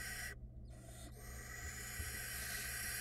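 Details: Several barn owl nestlings on a Florida nest cam give a dense, steady hissing screech that stops briefly near the start and then carries on, with the broad rasping calls overlapping.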